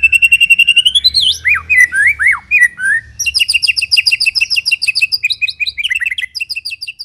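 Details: Lure recording of a white-rumped shama, loud and clear: a steady high trill, swooping slurred whistles, then a long rapid series of paired high chips repeated several times a second, with a low rumble beneath.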